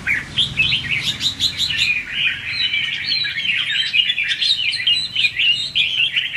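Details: Red-whiskered bulbul in competitive 'ché' and 'xòe' style singing, used as a lure to train and trap bulbuls: continuous rapid warbled, chattering phrases, bright and jumbled, with short high ticks early on.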